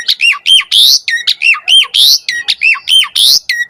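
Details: Asian pied starling singing vigorously while puffing itself up, played to draw song from reluctant starlings; a fast, repeated pattern of looping whistles and harsh squawky notes, about three phrases per second.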